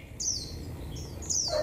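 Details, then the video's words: Japanese white-eye singing in the 'họa kép' style with 'líu thung' phrases on a cold 11 °C day: two thin, high whistled phrases sliding downward, a short whistle between them, and a lower note at the end, over a low background rumble. "chú chim khuyên HỌA KÉP nét siêu đẹp hàng líu thung ngày rét ( 11 độ C )"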